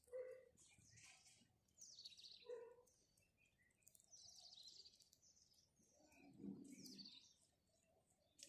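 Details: House sparrow chirping in the morning: bright, short chirps scattered high in pitch, with lower, softer notes and a brief low rumble in between, irregular rather than rhythmic.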